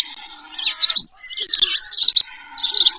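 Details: White stork chicks begging as they are fed one July evening in 2024 near Pyriatynskyi National Nature Park, Poltava region, Ukraine, on a nest-cam. Harsh squealing bursts about every half second over a steady droning whine.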